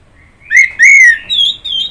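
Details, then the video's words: Orange-headed thrush singing a short phrase: two loud whistled notes slurring downward, then two higher thin whistles, all within about one and a half seconds, in a quiet background. "Kicauan Burung Anis Merah"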